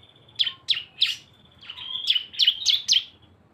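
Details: Cisem song from a two-bird lure mix: three spaced, sharp chirps, then a rising buzzy stretch leading into four quick, bright high notes.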